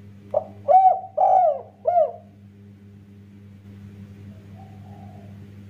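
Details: Spotted dove in kuk 1 song style, meant to set other doves singing; three mellow, slightly falling coos in quick succession within two seconds, followed by quiet with a constant low background hum.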